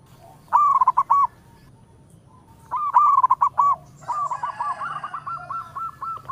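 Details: Local zebra dove (perkutut) in full voice, calling in all directions: two short bursts of rapid stuttering, hooting coos with a rolling trill, then a longer, softer run of clipped cooing notes.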